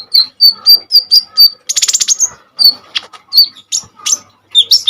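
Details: Common iora singing energetically, kept as a model singer for training hummingbird-named songbirds. A row of loud, clear whistled notes is repeated about twice a second, then a dense buzzy rattle, followed by more sharp whistles and chips.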